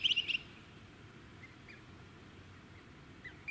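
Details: Rainbow bee-eater at Bribie Island, Queensland, in November 2018: a quick burst of four or five high, rolling trilled chirps in the first half-second, then faint distant bird notes over steady wind and suburban hum.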